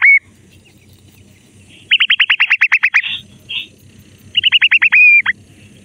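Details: Grey francolin chicks playing in mud in a forest: loud, clear whistled notes, including a rapid series of about ten sharp downslurred chirps, a short pause, then another quicker series ending in a long whistle, with faint low background murmur.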